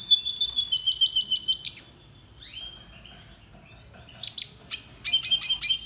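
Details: Red siskin singing for training purposes: a quick, even, high trill lasting over a second, a brief rising swish, silence, then scattered sharp chirps and a short trilled phrase.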